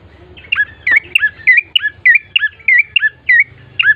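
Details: Lure recording of bar-winged prinia song meant to get birds singing quickly: quick repeated squeaky, curling chirps, each with a lower twangy note, spaced roughly every third of a second, with a faint low hum underneath.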